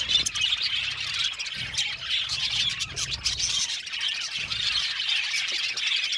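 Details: Budgie colony calling in an aviary: continuous chirpy twittering from many birds at once, short squeaks overlapping, with soft low thumps in the background.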